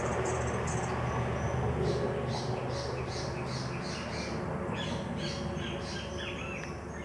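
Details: Endemic Sapphire-bellied Hummingbird singing from its perch at the Salamanca NP parking lot, Isla Salamanca, Caribbean lowlands of Colombia, November/December: a run of thin, high squeaky notes, about three to four per second, over a loud steady rumbling background.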